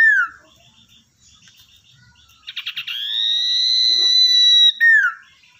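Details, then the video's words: Wild-caught, tamed Common iora kept as a lure bird, singing loudly: a short burst of rapid clicks, then a long sustained pure whistle with bright overtones, closing with a falling slurred note. "Cipoh atau Sirdung Ekor Hitam Gacor buat Pancingan"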